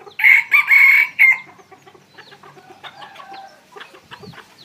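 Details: Evening at a place where decoy red junglefowl are kept: one loud crow in four choppy, strained bursts at the start, followed by quiet clucks and background twittering of other birds.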